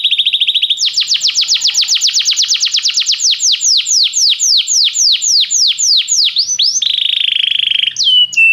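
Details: Belgian canary song for warming up a canary: a short rapid trill leads into a long steady series of bright downslurred whistled notes, about four per second, closing with a buzzy tone and a brief slide.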